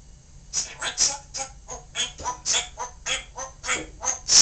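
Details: Pet parrot that has learned to say a baseball manager's name talks in a rapid string of about a dozen short, raspy, speech-like syllables, roughly a third of a second apart, with harsh hissy tones.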